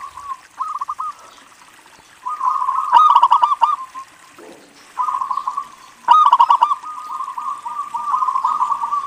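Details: Zebra dove of a local strain singing as a lure for other doves. Repeated phrases of fast, cooing trills with sharp clicking accents, about three phrases with short gaps.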